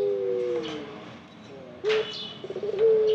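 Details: Low, soft coos from a ringneck dove, a slowly falling double note followed after a pause by short level hoots and a brief rolling flutter, with a sharp high bird chirp breaking in.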